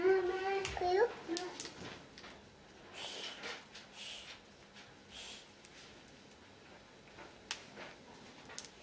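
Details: A grey parrot kept indoors, at breakfast, gives a few quick, voice-like tonal calls in the first two seconds, then soft clicks and rustling noises fill a quiet room.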